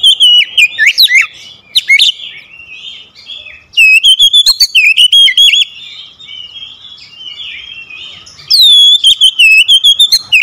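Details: Oriental magpie-robin lure singing meant to trigger vigorous song in others: three loud bursts of fluty, trilled whistles with sharp clicks, separated by lower twittering passages.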